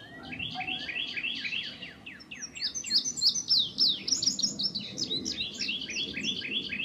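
A first-year indigo bunting sings a bright, high, rapid song of sweet notes grouped in pairs, running for about seven seconds with a little quiet background hiss.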